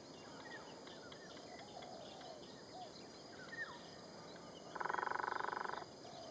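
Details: A Sunda pygmy woodpecker, a common woodpecker in Singapore, gives one loud, rapid, buzzy trill lasting about a second, over faint distant bird notes and a steady insect hum.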